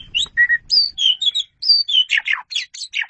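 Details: Asian pied starling in energetic 'gacor' song used as a 'masteran' tutor recording: a rapid, varied run of clear whistles, slurred notes and buzzy chattering phrases, almost continuous, with faint low rumbling early on.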